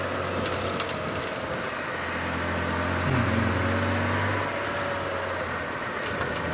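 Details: At a 5:30 AM sunrise safari drive on March 12, 2017, a vehicle engine drones steadily with a brief low mechanical whine midway and no animal voices.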